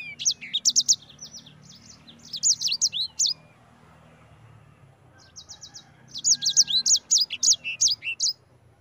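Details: Sanger song in the ngerol rolling style, used as a lure to get other sanger birds singing: two bursts of high, fast, sharp chirped and trilled notes with a quiet gap between them, plus a faint low hum.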